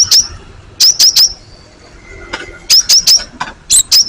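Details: Cinereous tit used as a lure recording to draw replies from other tits: bright, high whistled two-part notes in quick bursts of two to three, separated by pauses, with a faint lower tone and soft background rustle.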